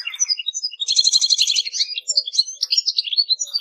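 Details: Goldfinch song, a tinkling twitter with a dense burst of rapid buzzy trilled notes near the middle, surrounded by varied high chirps.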